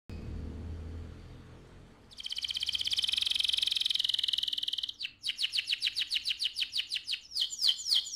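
A canary sings a fast, high rolling trill, then breaks into quick repeated chirps and slurred whistles, about three or four notes a second, with faint background hum.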